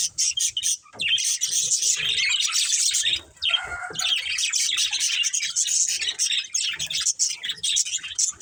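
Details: Continuous bright chirping and scratchy warbling from a breeding pair of budgerigars, one lower, smoother note standing out briefly in the middle, with faint low tapping.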